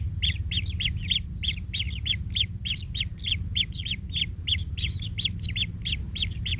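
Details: Baby kingfisher squashed by the adult in its nest: rapid, rasping chirps at a lower pitch than the rest, repeated roughly three per second without pause, above a steady low hum.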